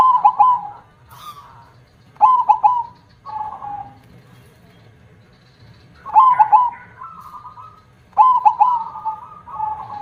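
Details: A zebra dove with a large 'kong' voice sings four phrases, each opening with three emphatic clipped coos that run into a steady, slightly rolling tail. Softer dove song carries on in the background.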